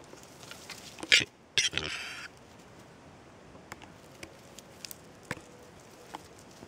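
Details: Male Western capercaillie making a threatening display: a loud pair of sharp, dry knocks followed by a short rasping hiss, then sparse faint clicks at irregular intervals against a quiet background.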